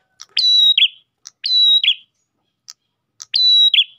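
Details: Three repeated phrases from an Ash tailorbird, used as bait for other tailorbirds: clicky tick, long steady high whistle, then a rasping lower note, spaced roughly a second apart in quiet surroundings.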